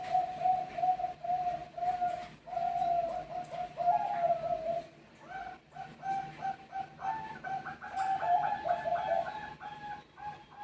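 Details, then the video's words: Zebra dove of the Bangkok type, answering other birds in a calling exchange: rapid strings of low, even coos in bursts, later joined by higher overlapping coo notes from a second caller, with gaps between phrases. "Saling saut Burung Perkutut Bangkok Burung anda langsung mengikuti"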